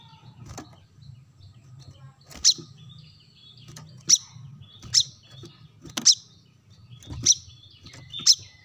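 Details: Brown-throated sunbird lure sound: sharp, high, descending notes repeated about once a second, each paired with a dry click, over a steady low hum.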